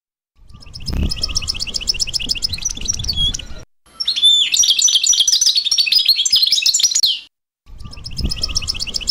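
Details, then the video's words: Goldfinch mule song: fast rattling trills and twittering phrases in two long bursts, with low rumbling noises during the first and last parts. "Mulet Phénomène"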